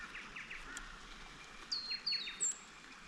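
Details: Leaden flycatcher in brigalow woodland and dry sclerophyll forest, in fine weather, gives three sharp, high whistled notes in quick succession, each sliding slightly downward, after fainter descending chirps over soft background hiss.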